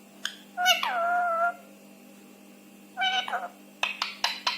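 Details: Rescued Indian ringneck parakeet talking: a short squeak, then a drawn-out nasal word with a gently falling pitch, a pause, a shorter two-part utterance, and a run of sharp clicky chirps at the end.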